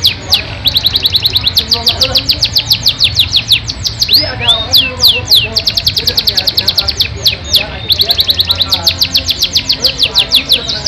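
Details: Long-winded Yorkshire canary song full of varied phrases, fast runs of downward-sweeping whistles about three per second or faster, with a pause for curved slurred notes midway before the rapid runs return; low hum underneath.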